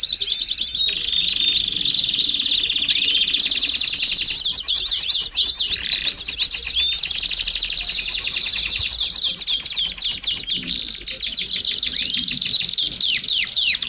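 A Belgian canary sings a long, fast, high warbling song of trills and rolling notes.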